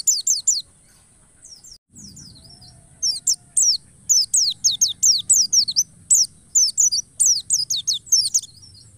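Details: White-eye lure song used to provoke other white-eyes into wild-style, emotional and persistent singing: continuous runs of sharp, very high downslurred whistled notes repeated several per second, in quick clusters after a brief pause; soft low rumble and steady high hiss behind.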